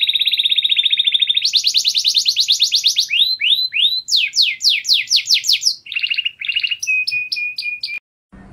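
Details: Canary singing powerfully: a long rapid rattling trill, then a sequence of swooping rising notes, choppy trills and a steady whistled tone, ending abruptly.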